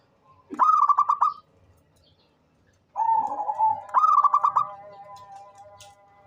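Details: Zebra dove of local Indonesian stock, an eager caller used to prompt other birds to sing, gives rolling stuttered coos, a level hum flowing into quick rhythmic pulsed notes, twice in six seconds.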